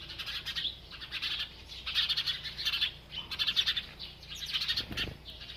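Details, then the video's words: Sparrows playing and bathing in a village, recorded naturally without edits; a lively chorus of quick, high, overlapping chirps rising and falling in repeated bursts about every second, and a low thump near the end. "sparrow chirping sound & sparrow playing & bathing"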